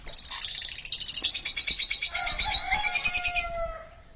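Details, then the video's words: Pet sun conure giving a rapid harsh chattering burst, pulsed about a dozen times per second and gradually dropping in pitch, ending with a shriller rasping phrase and fading out. "Sun conure sounds / sun conure talking"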